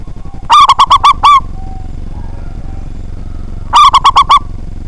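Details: Zebra dove, a local bird with a powerful voice, singing to lure rivals into song: two bursts of five or six short, resonant cooing notes in quick succession, separated by a pause of about two seconds, with a low background hum.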